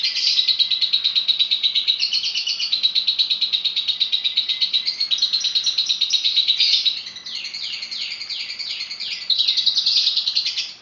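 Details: Lovebird in persistent, varied song: a long, rapid, high chattering trill, then a run of quick downward-sweeping whistled notes near the end before the buzzing chatter resumes.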